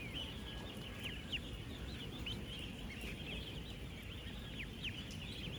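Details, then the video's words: A huge flock of 16,000 ducklings, ten days old, on a real duck farm as they move around and eat. Shrill chirps overlap densely, with a few sharper downward-sliding peeps standing out, over steady low background rumble. "16,000 Ducklings Making AMAZING Sounds! 🐥 | 10-Day-Old Ducklings"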